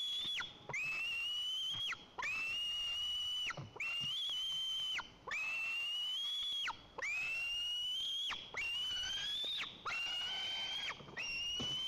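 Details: White-tailed eagle on a nest in Lower Kama National Park, Tatarstan, waiting for the father to bring fish: a persistent series of long, thin, whistled squeals, each rising slightly, repeated about every one and a half seconds.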